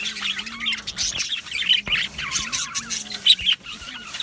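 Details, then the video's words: Australian budgies chattering in a colony aviary on 12 July 2025: scratchy, wavering chirps and rapid squeaky warbles from several birds at once, with a faint steady hum below. "Australian Budgie Chirping Sounds"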